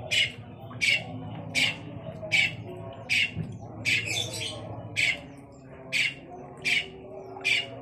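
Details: Long-tailed shrike giving loud, harsh squawking notes, one roughly every three-quarters of a second, evenly spaced, with quiet background hum between them.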